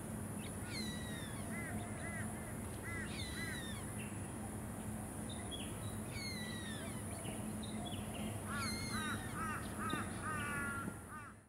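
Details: Forest kingfisher (Todiramphus macleayii) on the Sunshine Coast, Queensland, in February 2024, giving short runs of harsh, repeated chevron notes, with thin higher whistles from other birds over a steady low rumble.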